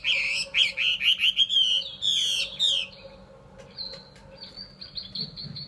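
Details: Caged Chinese hwamei, a pet songbird in Vietnam, singing loud rich whistled phrases with rising and falling slurred notes for three seconds, then softer high thin notes and short chips.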